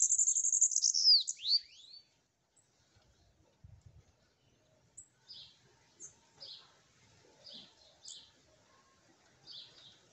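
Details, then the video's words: Sibite (bananaquit) perched on its owner's hand gives a short high buzzy trill ending in a couple of falling slurred notes, then only soft, spaced high chips follow in near quiet. "MEU SIBITE CANTANDO NA MÃO!"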